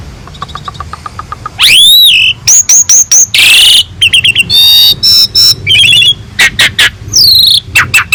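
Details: Asian pied starling in full song, from a master recording rich in mimicked phrases for teaching other songbirds: soft ticking, then a rising swept note, series of sharp whistles, a harsh buzz, rattles and looping slurs.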